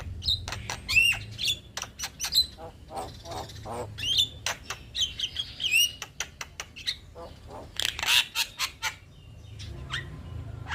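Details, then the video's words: Singing male Black-winged starling in gacor form, a song said to set every bird calling: bursts of dry clicks and rasping chatter interspersed with ringing upslurred and downslurred whistles, spaced unevenly across a long phrase. "Ocehan Jalak Kebo Gacor Mantap Semua Burung Jadi Ikut Bunyi - Jalak Kebo Jantan Gacor"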